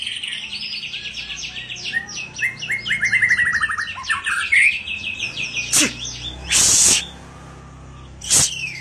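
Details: Agitated white-rumped shama whose song is used to stir other shamas into singing: a long series of fast high trills and stuttering notes for five seconds, followed by several sharp noisy bursts and silence.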